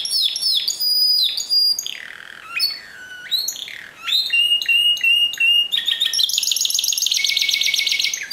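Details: Discontinuous-style Timbrado canary song, a loud varied sequence of chattering trills, swooping downslurred notes, crisp pulsed rattles and a closing high buzzy trill, delivered almost without pause.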